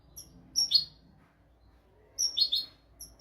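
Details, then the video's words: European goldfinch, used as a tutor recording for goldfinches and canaries, gives two brief clusters of high, tinkling chirps separated by a second and a half of quiet. "تغريد طائر الحسون ملكي حفاضة لتعليم طيور الحسون والكناري بدون أخطاء"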